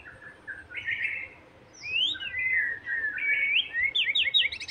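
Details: White-rumped shama song meant to stir a bird's emotion so it sings: a quiet start, then loud slurred whistles climbing and falling, ending in quick high rising notes.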